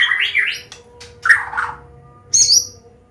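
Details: Medan-type white-rumped shama singing a combination song used as a lure for young birds: a short warbled phrase, then a lower slurred whistle and a brief high squeak, with a faint steady hum behind.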